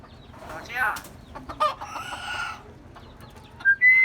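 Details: Common myna giving varied calls, a bird said to learn human sounds: scratchy, chattering notes, then short, clear whistled notes near the end over a low, steady background hum.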